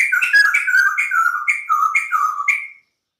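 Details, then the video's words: White-crested laughingthrush singing a rapid series of clear, slurred whistles. Each two-note phrase falls then rises and repeats about twice a second before the song stops abruptly. "POKSAY JAMBUL PUTIH GACOR DOR"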